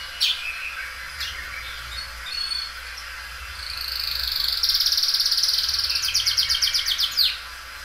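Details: Belgian canary, a loud singing bird said to be well cared for, stretching its song many times: a few high notes, then a long sustained buzzy trill rising into rapid repeated high pulses lasting about three seconds.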